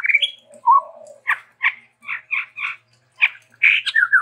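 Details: Varied, lively song of a chestnut-rumped babbler, endemic to Sumatra. A rising whistle and a low slurred note lead into a string of short, harsh, chattering bursts, ending in a quick tumble of slurred notes.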